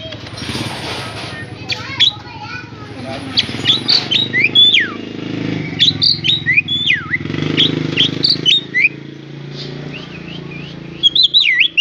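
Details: A captive talking Javan myna, kept for its mimicry of speech, gives rapid bursts of sharp whistles and chattery notes, sweeping up and down, in repeated phrases over a low background hum.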